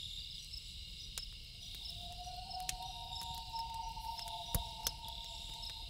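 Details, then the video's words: Loon calling at night: a long, steady, mournful wail that rises partway through and holds to the end. Campfire crackle pops throughout over a constant high chorus of crickets. "1 Hour Loon Calls With Campfire Sound - Loon Calls For Relaxing"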